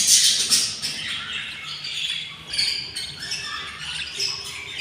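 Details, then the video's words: Six hungry nestling budgerigars from one pair, day 24, make grating, high, hissy squawks in quick repeated pulses, loudest at the start and then steady. "couple budgies nest, 06 eggs , 06 eggs hatched, and 06 beautiful chicks are very hungry / day 24"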